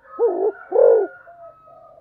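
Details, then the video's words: Spotted dove in the fast 'tốc độ' or 'thúc gù' cooing style, giving two low, mellow, wavering coos about half a second apart, with a faint thin whistled tone running behind them. "cu gáy tốc độ/ Cu gáy thúc gù"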